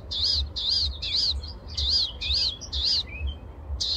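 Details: A Palestine sunbird sings in the morning, a rapid series of high, thin arched notes, about three per second, over a low background rumble.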